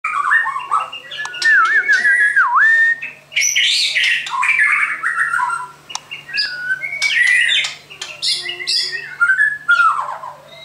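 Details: White-crowned shama singing a rich, varied phrase of clear whistles, slurred rising and falling notes and sharp chips, with a brief trill near the start and a steady low hum underneath.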